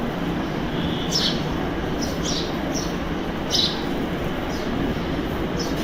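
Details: House sparrows fighting give short, high chirps about once a second during the squabble, partly buried under a steady low rumble of traffic or a train.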